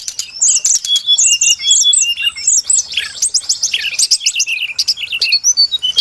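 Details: Brown-chested jungle flycatcher singing for a trapping lure: repeated high whistled notes give way to a jumbled, rapid warble, then scattered clear chirps.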